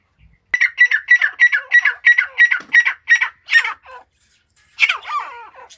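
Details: A grey francolin, a female of Iranian stock, gives a fast run of about ten harsh, grating notes, roughly three per second, then after a brief pause a louder squawking phrase.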